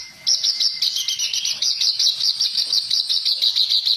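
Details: Reed warbler in a training recording of harsh song, delivering one unbroken stream of high, rapid, scratchy twittering after a brief silent start.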